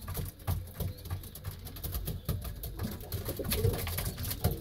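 A racing pigeon gives low, rolling coos in short bursts, with soft shuffling and knocks in a small indoor space.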